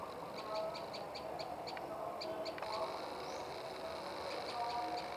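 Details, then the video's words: Tailorbird, locally called prenjak lumut, giving rapid runs of short sharp high chips, about five per second, broken by brief pauses and a few downslurred notes, over a steady murmuring background hum. "Burung Prenjak Lumut Istimewa"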